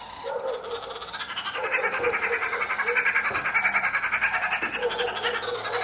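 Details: Red-billed wood hoopoes feeding their chicks; rapid harsh cackling notes, about three a second, rising into a dense chattering chorus, with a low steady hum underneath pausing briefly near the end.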